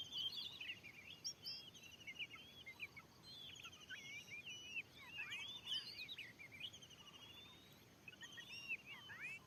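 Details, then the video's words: Aggressive wild Oriental magpie-robin in a newly cleared field reacting to a lure bird: strong bursts of curling whistles and quick chirps at the start, mid-section, and end. Quieter gaps in between hold faint high notes. "Teryata dilahan yg baru steling ini ada burung Kacer yg sanggat ganas....!!!!"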